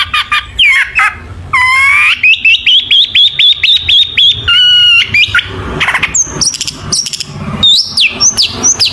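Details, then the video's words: Long-tailed shrike in lively, fill-in-rich song used as a lure to get shrikes singing: harsh nasal notes, a rapid string of similar repeated chirps, then varied whistles and high slurred phrases. "burung cendet gacor FULL ISIAN BONGKAR JITU, PANCINGAN CENDET AGAR BUNYI jadikan BURUNG PENTET GACOR"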